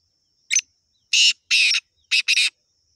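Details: Black francolin (kala teetar) giving a harsh, grating, hissy call: a short note, then two longer rasping notes, then a quick double note. A faint steady high whine runs underneath.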